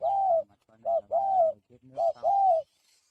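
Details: Spotted dove, raised free-range, practising its cooing. It gives steady back-to-back coos, soft and mellow, each a brief note followed by a longer gliding one, with a faint low murmur underneath.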